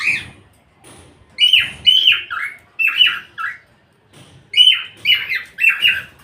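A cockatiel gives harsh, squawky bursts of speech-like mimicry in two quick groups of syllables.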